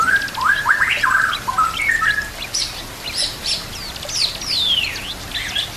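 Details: White-rumped shama song meant for training other shamas: a fast string of stepped whistled notes, then high harsh squeaks and a long descending slurred whistle, with water and natural background sounds.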